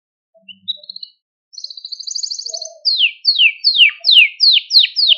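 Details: Caged male Maltese canary singing to stimulate other canaries: short high notes and a buzzy trilled phrase, then a quick series of sharp descending whistled notes repeated about seven times, in near silence.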